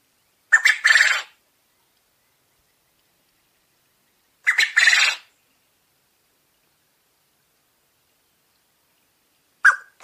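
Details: Domestic Coturnix quail crowing roughly every four seconds. Two complete calls, each a sharp opening note running into a harsh buzzy rattle, then the start of a third at the end. Silence between calls.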